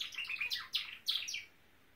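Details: Norwich canary kept as a pet, a brief burst of high, slurred chirping notes lasting about a second and a half before quiet.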